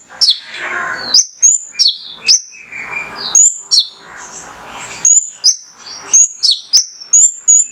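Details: Male mangrove whistler song for prompting caged birds to sing: loud, high whistles in varied short phrases, downslurs alternating with rising notes, over light background rustle.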